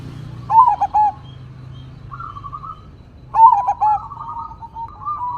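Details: Big-voiced crossing zebra dove singing 'engkel' style: two stuttering trilled coo phrases, each trailed by a buzzy rolling coo, over low rumbling nature ambience.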